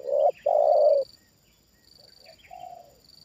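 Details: Trained Spotted dove reacting to a wild bird brought down again: a clipped note and a long mellow coo close by, then softer, more distant coos replying, with faint chirps and a high thin whine.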